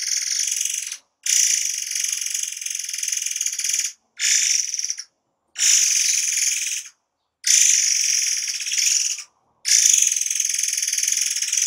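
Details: Forktail giving rapid, tight song bursts used as a training master: dense, shrill, high-pitched rapid chattering in long unbroken bursts, cut by abrupt silent gaps every few seconds.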